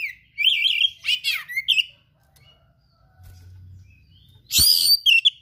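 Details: Oriental magpie-robin song rich in imitated rare material: warbled whistles rising and falling, a burst of buzzy chatter, a quiet gap, then a loud harsh outburst of whistled notes.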